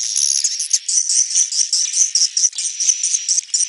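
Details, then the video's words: Shrill swiftlet twitter in the neutral style, an almost continuous flutter of high chirps pulsing roughly twice a second. "SUARA BURUNG WALETNETRAL soUND"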